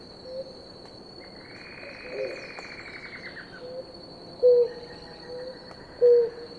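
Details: Two blue ground doves drinking water, with soft low hoots repeating near the end, a long buzzy descending call from another bird early on, and a continuous thin insect whine.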